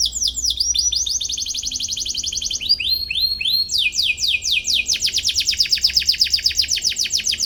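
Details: Canary singing to provoke rivals, played for young birds to learn: alternating fast trills and runs of descending swept notes, shifting pitch midway into a bright, rapid rattle.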